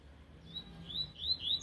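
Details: Young double-collared seedeater after its moult, singing a tui-tui style song still 'cold', not yet in full voice: thin high whistled notes, faint at first, then three louder rising slurred whistles toward the end.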